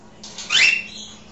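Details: Pet African grey parrot having a conversation indoors, giving a single harsh, rising squawk with a whistled edge lasting under half a second, with a low steady hum in the room.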